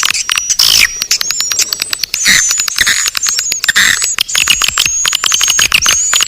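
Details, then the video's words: Naga Birahi swiftlet attraction sound: busy chattering clicks under a string of thin, high, slightly rising whistles repeated every half second or so, with one louder burst of twitter near the start. "Sp. Naga Birahi, Suara panggil burung walet"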